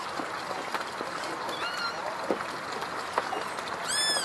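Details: At Parque Celso Daniel in Santo André, a great kiskadee feeding its three nestlings gives a few harsh, ringing notes, then a loud burst of stacked, arching calls near the end, over a steady hiss.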